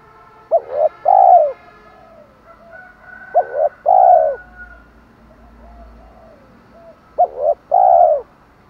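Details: Spotted dove used as a lure for wild birds gives a 'thổ' style call: three phrases spaced about three seconds apart, each two short coos then a long mellow coo, with soft background whistles.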